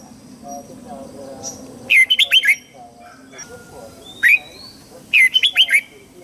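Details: Red-whiskered bulbul singing in the morning, a recording meant for voice training of young birds. It gives two bright, quick phrases of five looping whistled notes, with a single sharp note between them, over faint background chatter.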